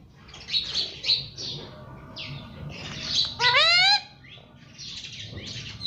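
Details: Parrot giving quick high chirps in bursts, broken by a long, strained, rising squawk, then more chattering chirps over low background rumble.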